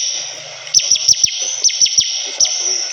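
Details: Short run of clipped, falling high notes from a Bar-winged prinia, given in quick pairs, above an unbroken shrill background hum.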